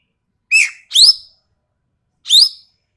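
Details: Sumatran common green magpie giving sharp, harsh calls for a tutor recording: a grating downward note followed at once by a shrill rising squeal, then another rising squeal after a pause, with nothing else heard.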